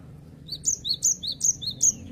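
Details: Gelatik batu (cinereous tit) singing 'wucit wucit', five or six paired high whistles, a lower slurred note followed by a higher one, repeated at a quick regular pace against a soft low hum.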